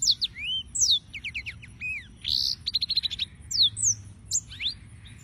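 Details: Yellow-fronted canary (Serinus mozambicus) singing: a quick, varied run of high whistled slurs, rapid trilled notes and rising and falling sweeps, broken by short pauses.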